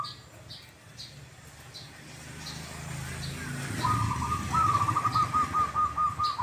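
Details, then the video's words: Zebra dove (perkutut) whose song ends in a doubled "kuk, kuk": after quiet seconds, a rapid pulsing coo trill at mid pitch begins, continuing to the end, over low rumbling background and repeated high sharp chirps from small birds. "PERKUTUT YANG SUARANYA KUK, KUK /KUK 2 / ( DUA) KALI."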